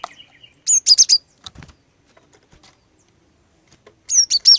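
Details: Female cinereous tit lure song to get males singing: two bursts of four fast, high chirps about three seconds apart, with a few faint clicks between them.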